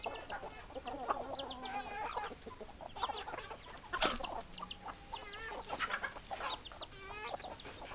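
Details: Domestic hens clucking in a crowd, layered murmuring clucks with drawn-out wavering notes, a loud sharp burst around the fourth second, and faint high chirps in the background.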